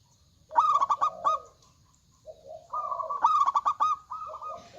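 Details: Zebra dove of local stock, singing strongly: a rapid pulsed burst of cooing beats, a pause, then a low coo rising into a longer held note and a second stuttering burst.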